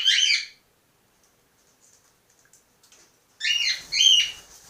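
Young cockatiels give harsh, raspy screeching bursts, separated by a quiet pause with faint ticks.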